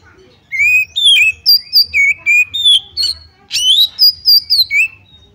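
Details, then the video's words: Oriental magpie-robin singing as fight provocation: a fast, varied sequence of loud whistles, some slurred upward and some buzzier, about four notes per second for nearly five seconds with a brief pause midway. "pancingan kacer tarung cari lawan"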